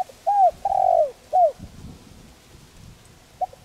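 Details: One coo phrase from a spotted dove used for decoy training: a falling hoot, a long drawn wavering note, a short closing note, then low rumbling and a faint start of the next phrase.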